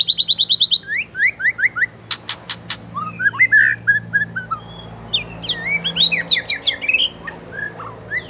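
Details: White-rumped shama song played as a lure to prompt other birds to sing: a rapid, varied stream of whistled notes, trills, upslurred phrases and sharp clicks, delivered with few pauses over a steady low background hum.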